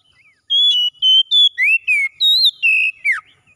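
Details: Oriental magpie-robin in morning song, delivering about eight loud whistled notes in quick succession, level tones alternating with buzzier downward slurs, the last note dropping steeply.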